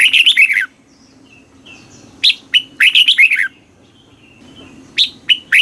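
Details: Red-whiskered bulbul song in the southern Thai master style, played to caged birds: an opening rush of chirpy whistles, a longer rolling phrase of rapid notes, then a couple of sharp single notes to close.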